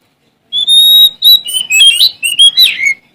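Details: Oriental magpie-robin of Sumatran stock, male, singing to challenge rivals; a long pure whistle opens a rapid run of varied whistled phrases with upward and downward slurs, loud and clear.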